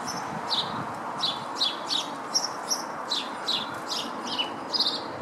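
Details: At a Howdon garden nyjer feeder on 3 May 2016, a feeding lesser redpoll gives steady high, clipped chirps about three per second throughout, each note quick and slightly downward, with quiet background hiss.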